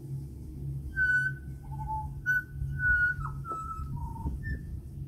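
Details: An Australian pied butcherbird, a regular visitor at a house in New South Wales, sings pure, flute-like whistled notes, some held and some sliding down, over a steady low hum.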